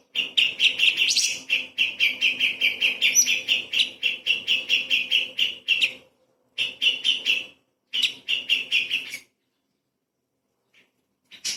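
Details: Light-vented bulbul in full song with small-bird burst phrases, used as a training recording for magpie-robins: dense runs of rapid, buzzy chattering notes about eight per second for six seconds, then shorter bursts separated by brief pauses.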